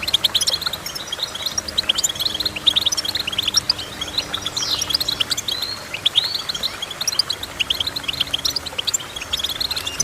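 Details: Goldfinch singing in a rapid, lively twitter of high chirps, short trills and occasional sweeping notes, delivered almost without pause, with a soft low hum underneath.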